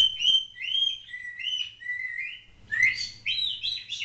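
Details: Pet African grey parrot indoors whistling a run of clear up-and-down notes repeated in a tune-like pattern, then warbled higher chirps.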